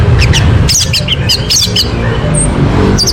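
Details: Orange-headed thrush song used as a lure to prompt a bird to sing: short, high, clear whistled and slurred notes in quick succession over a loud, steady low rumble like nearby traffic.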